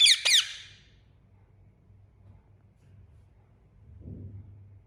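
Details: Indian ringneck parakeet giving loud chirping: two sharp, harsh, squeaky notes in quick succession at the start, then near silence with a faint low thump toward the end.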